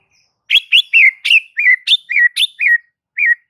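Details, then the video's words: White-rumped shama (murai batu) singing as a lure to make other shamas sing steadily and loudly: a varied run of clear whistled notes, some rising and some falling, about ten phrases with a short pause before the last. "Murai batu ini SONTAK bikin murai lain TETAP GACOR dan NGEPLONG hanya dengan Sekali Pancingan Saja"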